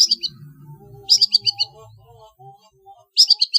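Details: Long-tailed shrike trotol on a training recording for competition birds: short bursts of quick, high stuttering notes, each burst under a second, separated by pauses with faint low hum.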